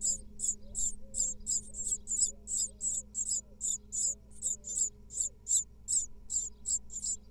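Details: Great tit nestlings from a second clutch of five eggs, in a nest box watched by a live camera in Israel in 2022, being fed by the female: high, hissing squeaky bursts repeated about three times a second over a low steady hum.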